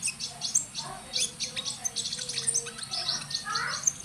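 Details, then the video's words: Magpie-robin in lively song, described as a prospective champion: dense runs of sharp high chirps and ticks with brief whistled notes, uneven in rhythm, and a soft continuous low hum beneath. "Konin ijoan gacor prospek calon juara"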